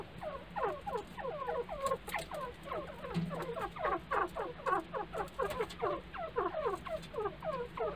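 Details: White francolin calling in a loud, clear voice: a steady run of rhythmic, harsh, stuttering notes repeated about twice per second throughout, with faint low hum beneath.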